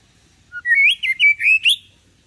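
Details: White-rumped shama tutor song meant to get young birds singing like adults; a low opening note, then a quick sequence of bright looping whistles ending in a sharp upward flourish.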